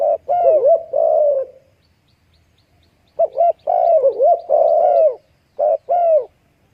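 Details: Baby dove with its mother: wavering, reedy mid-pitched calls with slurred up-and-down bends, a dense burst in the first second and a half, then a longer run and a short final note after a pause.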